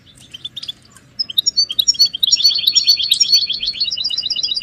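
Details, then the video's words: European goldfinch calls played to stimulate caged males to sing and break their silence: sparse high chirps building into a rapid twittering series of bright, tinkling notes, over a quiet background. "بتبتة الحسون تحفيز الحسون على التغريد والهيجان علاج صمت الحسون goldfinch stimulation"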